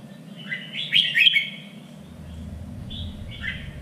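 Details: Red-whiskered bulbul phrase for contest practice: a loud, rich warble of slurred notes followed by softer short whistles, with a low rumbling hum underneath.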